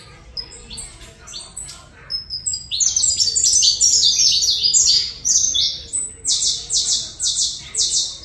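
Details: Saffron finch song from Colombia: faint scattered notes at first, then a loud run of high chirps, closing with evenly repeated buzzy notes.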